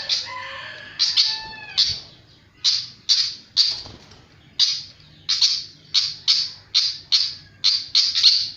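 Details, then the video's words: Flycatcher in active song, beginning with a few descending whistled notes, then many loud, harsh chirps, evenly spaced about twice a second, over faint background hum. "Burung sikatan sangat gacor"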